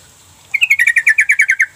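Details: Sooty-headed Bulbul call used as a lure to make quiet, reluctant bulbuls answer: a fast burst of about eleven bright, slightly buzzy chattering notes near one pitch, delivered evenly in roughly a second, with a faint low hum behind.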